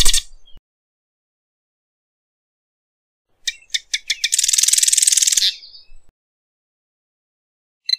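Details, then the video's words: A few sharp, separate ticking notes lead into a dense, high, buzzy rattle of about a second from a Marsh wren (Cistothorus palustris), followed by a long silence and a final faint tick. "Marsh Wren Song! Marsh Wren Call! Marsh Wren! - Cucarachero Pantanero Canto - Cistothorus Palustris"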